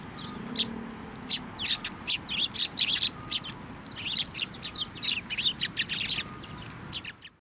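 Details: Sparrows coming to a hand for food at a Tenmangu shrine in Japan, recorded 23 November 2023; dense, excited chattering of many high chirps over seven seconds, overlapping birds, with a low murmur early on.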